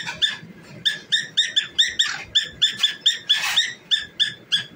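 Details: Cockatiel singing and dancing: rapid series of short, harsh, harmonic chirps, about three per second, with brief pauses and a louder scratchy burst near the end; faint low thumps underneath.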